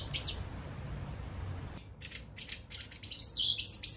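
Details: White wagtail at a balcony or garden; a brief high chirp, then after a cut a string of short sharp twittering notes growing louder toward the end.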